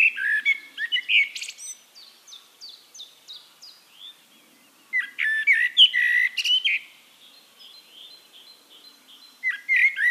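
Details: Wild Eurasian blackbird in song at Castricum, the Netherlands: loud melodious whistled phrases opening and closing, with a thin series of high descending chips from another bird repeating between them and light background chirping.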